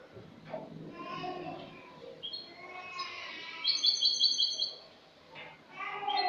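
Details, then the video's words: Spanish goldfinch, a bird from the previous year, singing in the clean 'cante limpio' style, recorded 22 August 2018: scattered twittering and tinkling notes, then a bright rapid trill of repeated high chips midway, with more chattering phrases at the end. "jilguero español cante limpio"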